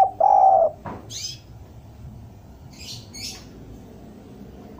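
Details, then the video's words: Spotted dove heard in a recording used as a lure to draw doves down: a single short, steady mid-pitched coo near the start, followed by a few thin, high chirps from other small birds. "Suara derkuku bahan ini sangat pas untuk pancingan tekukur pikat agar mau turun"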